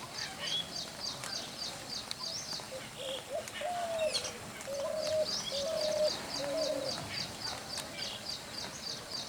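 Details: Spotted dove cooing in low, soft, level notes, one around the middle followed by three closely spaced drawn-out coos, over a constant background of quick repeated high-pitched chirps and some rustling.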